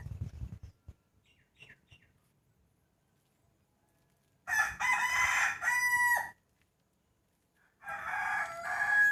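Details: Morning rooster crows just before the 2020 New Year: quiet low rustling and faint calls at first, then two loud harmonic crows of about two seconds each.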